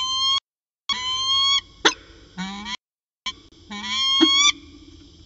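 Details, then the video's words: Peregrine falcon pair at Orange, afternoon of 13 January 2019: long, level, rising whining wails, some over a second long, broken by a sharp click, with gaps of near silence between. "Peregrine Falcon Long Afternoon Discussion"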